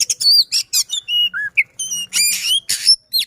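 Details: Caged white-rumped shama of the Sisinga style, delivering a rapid, dense song of varied whistles, upslurred and downslurred notes and buzzy bursts, with a faint low hum underneath.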